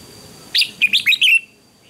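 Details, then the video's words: Short morning contest song of a red-whiskered bulbul: five clear, warbling notes delivered fast, ending in a drawn-out descending whistle. "Chào Mào Hót Đấu Sáng"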